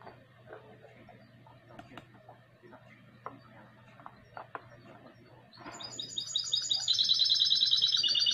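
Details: Goldfinch × canary hybrid singing, recorded in 2020: after about five seconds of faint clicks and room hum, bright high trilled phrases begin, rapid repeated notes climbing into a dense buzzy trill that carries to the end.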